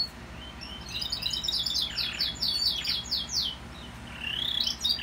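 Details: Canary from a 2018 breeding, back in song after the moult, delivers a rapid trill of sharp descending strokes repeated several times a second, followed by a short bright twittering phrase, over a faint low hum.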